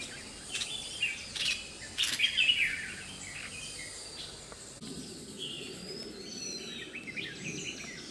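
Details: Red-whiskered bulbul in Tai Po, Hong Kong, on 21 April 2018, giving short, bright chirps and a brief warbled phrase, mid-to-high pitched and irregular, with other distant bird notes and a steady background hiss.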